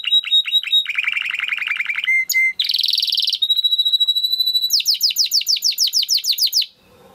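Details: Timbrado canary singing in a training recording: repeated rolling notes, a low buzzy rattle, a dense trill, a sustained whistle, then fast repeated swooping chirps before it stops.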